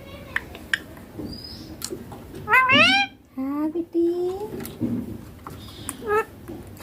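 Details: Baby Indian ringneck parakeet talking in clear Hindi, saying mommy and papa; several harmonic, nasal word-like syllables with rising and falling pitch, between soft clicks and faint high whistles indoors.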